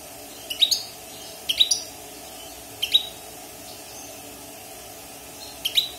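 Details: Wild European goldfinch, kept six months in a cage after its moult, giving short bright twittering bursts high in pitch, about four brief clusters spaced a second or more apart over quiet low room hum.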